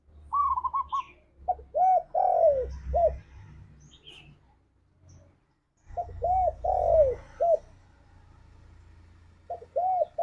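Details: Tekukur (spotted dove) lure song in the 'ngalas' style for pet doves; two cooing phrases, each a trill then three rounded coos, over a steady low rumbling background.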